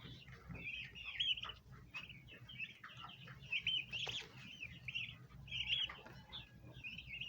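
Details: Baby bronze turkeys, domestic birds crowded around a basin of ornamental plants to feed, give a chain of bright, quavering high peeps, some sharply upslurred, over soft rustling and a brief flutter.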